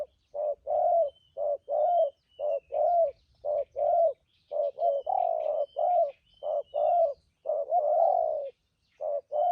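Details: Decoy spotted dove used for bird trapping, known for strong 'thúc gù' urging coos; a fast run of low hollow coos, short and long notes alternating about once a second, steady throughout, with soft distant chirps above.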